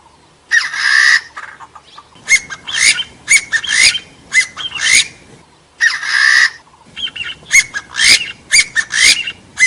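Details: Partridge calling on a noise-filtered lure recording for hunting forest birds: two phrases, each opening with a drawn-out harsh squawk and trailing into a fast series of clipped, rasping notes.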